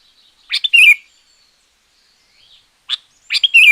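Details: A sooty-headed bulbul sings loudly, a song meant to lure wild bulbuls or coach quiet ones. A short chirp is followed by a rich, slurred, falling whistled phrase, then a lone note and another similar phrase.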